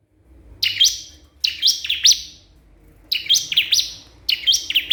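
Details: Crystal prinia calling a rival, four short bursts of rapid high chirping notes with sweeping loops, separated by pauses of about a second.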